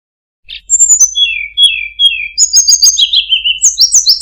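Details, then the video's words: Tledekan gunung singing a very melodious song with fine phrasing: clear whistled notes that slide steeply downward in a descending series, then a louder run of high whistles stepping down in pitch, delivered rapidly. "suara burung tledekan gunung, sangat merdu cengkok bagus"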